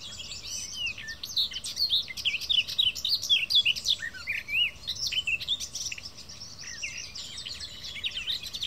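A garden warbler pours out a long, fast, unbroken warble of mellow, bubbling notes, steady throughout, over a faint low background hum.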